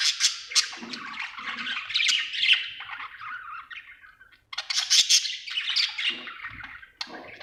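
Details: Happy budgerigar warbling: long run of raspy chatter and squeaky whistles, a short break near four and a half seconds, then a fresh burst of loud busy chirping.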